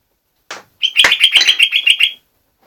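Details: Jogjog bulbul singing actively: a short opening note, then a fast trill of about ten bright, evenly spaced chirps on one pitch lasting just over a second.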